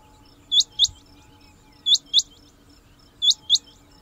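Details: Male rain quail calling at Bhigwan, July 2021, during the monsoon breeding season to mark territory: sharp, high double notes, 'whit-whit', the pair repeated about every second and a half over a faint low hum.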